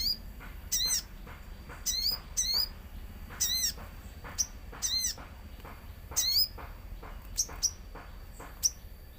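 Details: Common iora lure song with nature sounds: crisp, hooked high chirps repeated roughly once a second, some in quick pairs, over a low rumbling background.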